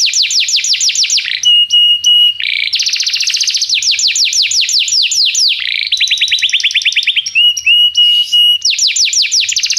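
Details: Canary tutor song for training a young canary: alternating fast rolling trills of down-slurred notes and steady flat whistles, with a lower descending trill series midway, sung continuously and loudly.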